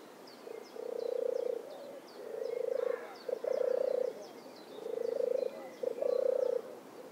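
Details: European turtle dove song: deep purring, pulsed phrases given in pairs, a short purr then a longer rolling one, repeated about every two seconds, with soft high chirping of other birds in the background.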